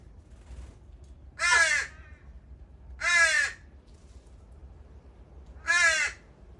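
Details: Young crows begging at a morning feeding spot after their families left them. Three hoarse, rasping caws, each about half a second, come roughly every one and a half seconds over a low background hum.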